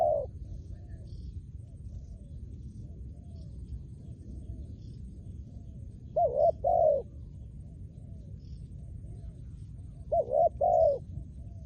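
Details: Trained decoy spotted dove, a Thai decoy-hunting bird, giving low soft coos: a short phrase at the start, then paired and tripled coos near six and ten seconds, over a steady low hum.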